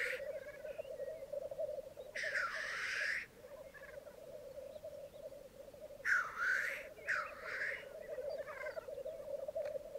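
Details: Lekking black grouse on a Mykland bog in Norway, May 2022 morning, twelve cocks and two hens gathered: continuous low rolling bubbling underneath three loud, broad hissing sneeze calls, one near two seconds and two close together after six seconds.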